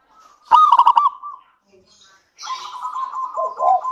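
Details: Local zebra dove singing as a lure for other doves. A single loud rapid stuttering phrase is followed by a pause, then steady level cooing that ends in low falling notes.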